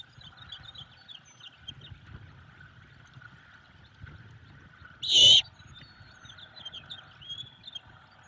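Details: Hungry great horned owlet at its Savannah nest calling for food in the evening; a single rasping, hissed screech cuts through a background of thin chirping from small birds and a low hum.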